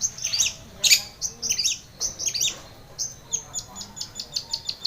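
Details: Long-tailed shrike in full, lively song, used as a lure to coax a stressed, silent shrike into singing: rapid high chirps and short whistled slurs in quick varied bursts, ending in a fast string of sharp repeated ticks.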